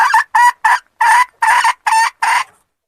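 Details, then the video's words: A red junglefowl hen calls the male with seven short, hoarse, nasal clucks in an uneven rhythm over two and a half seconds, recorded close with a silent background. "suara ayam hutan betina memanggil jantan"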